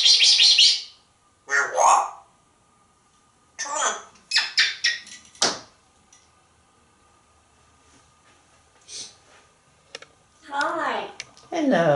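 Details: African Grey Parrot, a talkative pet bird indoors, chattering in short bursts: harsh squawky syllables and speech-like phrases separated by pauses, with a faint steady hum in a small room.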